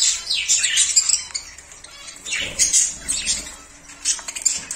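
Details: Budgerigars eating soft food chatter in quick, high, scratchy warbles and chirps, with soft ticking in between.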